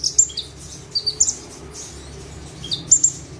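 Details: Ciblek, the bar-winged prinia, singing tembakan style while sitting still on a single perch; thin high squeaks and quick double chips in loose groups, some notes slurring downward, separated by short pauses.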